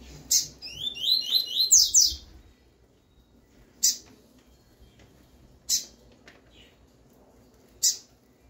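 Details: Double-collared seedeater (papa-capim) singing its tui-tui song, used for training young birds: a quick run of about eight clear sliding whistled notes, followed by sharp high clicks repeated about every two seconds over faint low background noise.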